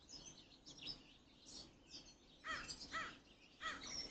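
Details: Crow giving three short, harsh caws in the second half, about half a second apart, with thin high chirping of small birds running underneath throughout.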